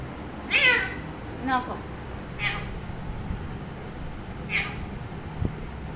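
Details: Chatty pet Alexandrine parakeet talking near its owner: four harsh, buzzy squawks about one to two seconds apart, the second one carrying speech-like harmonics, with a faint thump near the end.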